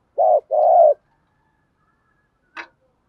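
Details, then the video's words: A decoy spotted dove calls at early morning to stir up wild doves. It gives one short low hollow coo and a longer drawn-out coo, followed by a single sharp click, then silence. "cu moi gay goi boi bvuoi sang sớm"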